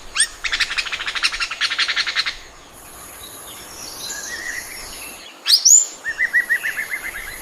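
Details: Oriental magpie-robin in song. It opens with a long, harsh, buzzy rattle of rapid repeated notes, then soft, varied warbles, a bright rising whistle, and a neat run of about ten short, clipped notes.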